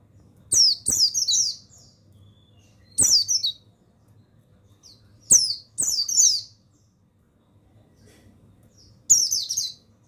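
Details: A male mountain white-eye, buxtoni form, singing for the tutoring of other pet white-eyes: four bright bursts of high, down-slurred twittering, each starting with a click, with gaps of silence and a soft low hum.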